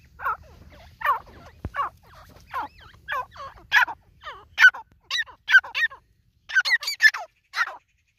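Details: Harsh, rasping calls from a white partridge, repeated at uneven intervals of roughly a second, grow louder and sharper toward the end, with faint low hum in the background.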